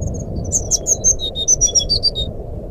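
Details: Dense, continuous fluting (nyuling) song of a brown-chested jungle flycatcher, a lure for silent birds: rapid high whistles alternate between upper and lower pitches for nearly three seconds above faint low background noise.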